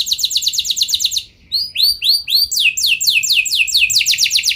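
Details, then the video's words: Canary in full song, played to prompt other canaries to join in; quick rolling trill, a pause, a few looping whistled notes, then renewed fast downslurred rolls. "Pancingan Burung Kenari Nembak Mantap! Buat Kenari Lain Pasti Langsung Ikut Gacor Ngeroll Panjang"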